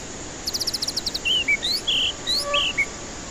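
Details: White-rumped shama song serving as a lure for stressed birds too lazy to sing: a rapid run of about eight high ticks, followed by rich whistled slurs, some rising and some falling.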